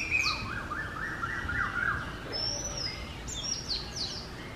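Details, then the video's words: An Oriental magpie-robin sings in the morning, a varied run of clear whistled and slurred phrases, with high thin notes and a short rising series near the end. "Magpie Robin Singing"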